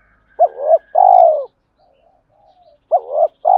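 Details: Male spotted dove giving challenge and mate-calling coos: a double-humped coo followed by a long throbbing, downward-sliding note, soft murmuring between, then the phrase begins again.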